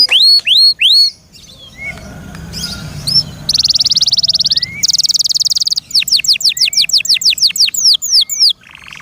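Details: Caged canary: a few loud falling whistles, a quiet pause, two bursts of high buzzy trill, then a quick series of sharp descending whistled notes.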